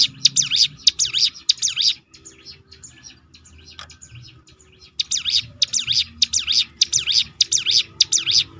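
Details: Hill prinia singing the 'roll tembakan' style, known as ciblek gunung, to provoke other birds: a quick run of high dipping notes, a gap of faint scattered chirps, then a second lively run.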